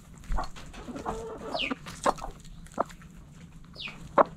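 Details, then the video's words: Coop-kept backyard chickens making spaced single clucks and murmurs, with two thin high falling chirps and a few sharp loud clucks standing out near the end. "Backyard Chickens In The Coop Relaxing Video Sounds Noises Hens Clucking Roosters Crowing!"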